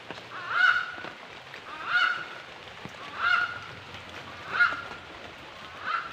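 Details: Bird giving loud, nasal honking notes, each swelling then fading, repeated steadily about every 1.3 seconds, five calls in a quiet setting.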